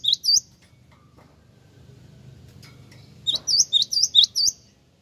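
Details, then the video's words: Lure call of a Java sparrow, played to get other birds answering. Two quick high chirps, a pause with soft low murmur, then a fast string of six sharp, flicking chirps. "Pancingan bunyi gelatik wingko langsung nyaut!!!"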